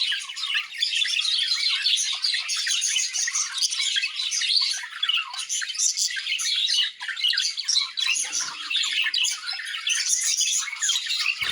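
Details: Budgerigars in an aviary keep up a dense, high chatter of squawks, chirps and scratchy warbles without pause.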